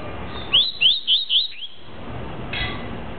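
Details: Double-collared seedeater (coleirinha) singing in the tuí-tuí style: four clear, high whistled upslurred notes in quick succession, then a fainter short note and a soft later sound, over steady low background hiss.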